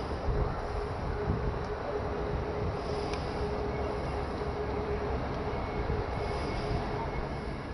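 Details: Continuous broadband rumble like distant traffic or a train, with a faint steady low hum throughout and no calling animal.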